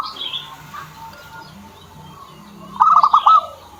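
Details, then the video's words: A kept zebra dove heard through a steady background hum. It starts with faint low coos, then near the end gives a loud, fast, rolling trill of four quick pulses. "PERKUTUT SAYA JADI MAU BUNYI"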